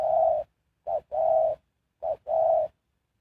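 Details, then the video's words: Spotted dove kept as a lure for trapping wild birds, cooing in a low mellow voice: one long coo, then two phrases of a quick short note followed by a drawn-out rounded coo, about a second apart, no other sounds. "Sound Of Spotted Dove is so good"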